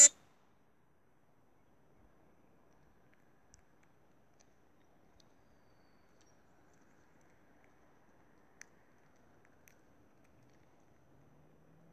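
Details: Near silence, with a sharp click at the start, a few faint scattered ticks and a low hum creeping in toward the end.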